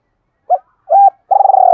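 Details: Spotted dove in double two-ending cooing, used as a lure for wild birds. A quick soft note, a held coo, then a throbbing purring note that continues to the end. No other noises.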